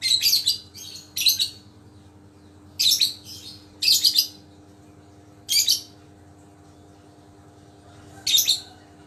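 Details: Caged lovebird, recently recovered from a snot illness, tested to see if it still calls readily. It gives six short bursts of very high, shrill, scratchy chirps at irregular gaps of one to three seconds over a steady low electrical hum.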